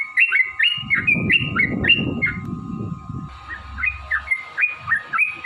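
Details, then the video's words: Sooty-headed bulbul song meant to prompt caged birds into singing: quick repeated whistled phrases with short falling and rising notes, partly masked by loud low rumbling in the first half, then clearer and sparser. "trucukan gacor TARUNG ROPEL PANJANG pancingan trucukan agar bunyi jadikan burung trucuk gacor EMOSI"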